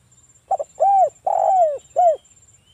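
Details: Local spotted dove singing with a big voice, played to draw other doves into calling: a brief stuttered note, an arched coo, a long coo that slides downward, then a final short arched coo.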